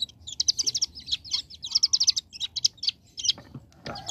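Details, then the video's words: Young bar-winged prinia in energetic 'ngebren' song: fast stuttering bursts of high buzzy notes packed closely together, ending with a low noisy thump. "Ciblek Gunung Paud Gacor Ngebren Ak47"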